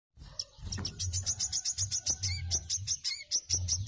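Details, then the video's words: Wiceh singing in a shrill, rapid 'mbeset' style, used as master audio for training cage birds: very high, thin chirps in fast, quick-fire runs with a few lower twittering notes, accompanied by soft low thumps. "WICEH MBESET AJIB UNTUK MASTERAN BURUNG"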